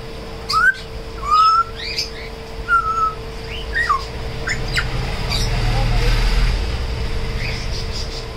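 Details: Pet African grey parrot, kept tame, whistling: several short rising and falling whistled notes in the first four seconds, then quieter background hum and low noise.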